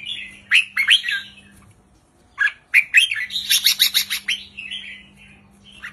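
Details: Short count-style 3-4-5 phrases from a wild red-whiskered bulbul: two quick bursts of liquid, chirpy whistles, then a longer run of rapid bubbling notes ending in a slurred fading whistle, over a faint low hum.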